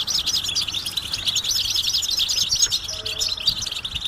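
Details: Rapid high twittering from a European goldfinch giving mating and readiness calls to rouse quiet males into song; tightly packed, tinkling chirps run without pause throughout, over a soft low background hum.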